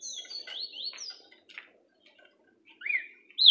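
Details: A green-winged saltator (Saltator similis) starts to sing: a run of clear, slurred whistles that swoop up and down, a short pause, then two bright rising phrases.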